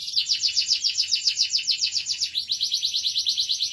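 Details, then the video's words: A Belgian canary sings a fast, continuous high trill of rapid rolling notes, shifting to a slightly different phrase partway through, with no other clear sounds. "kenari gacor good canary singing"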